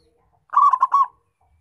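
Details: Single phrase from a local zebra dove (perkutut), meant to draw wild doves: four quick, rolling coo notes run together in just over half a second.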